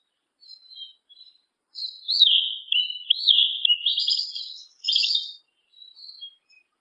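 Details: Black yellow-legged thrush singing: soft opening notes, then a long, rich warbled phrase of varied whistles and trills, followed by quieter short notes.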